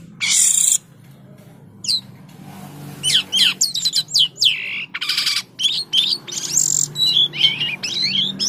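Common Iora singing a lively run of clear, falling whistled notes mixed with short harsh rattling bursts, delivered almost without pause over a faint low hum.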